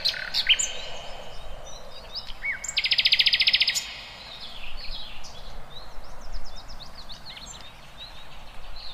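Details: Birds in the wild with varied chirps and a dense, buzzy one-second trill, over a noisy rustling background with distant twittering.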